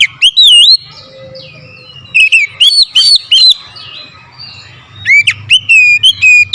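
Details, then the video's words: Oriental magpie-robin, singing hard to challenge an opponent: scattered loud whistled phrases, curling notes rising and falling, a quieter softer stretch in the middle, then a fresh burst of ringing whistles. "KICAUAN KACER POWER KERAS | MEMANCING EMOSI KACER LAWAN LANGSUNG NGOTOT BONGKAR ISIAN"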